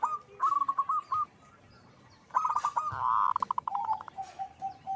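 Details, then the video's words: Perkutut, or zebra dove, singing gacor style. A quick string of coos slides into a dense rapid trill, then steady, evenly spaced notes that slow toward the end. Softer coos from another bird can be heard behind. "Suara perkutut gacor"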